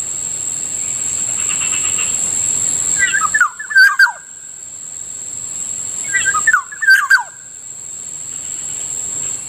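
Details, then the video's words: Black-naped oriole, locally called Kilyawan, calling in the morning near a rice field: two short bursts of slurred, liquid whistled notes with quick downward inflections, about three seconds apart, over a steady high insect hum. "Morning sounds of Kilyawan usually heard near our ricefield"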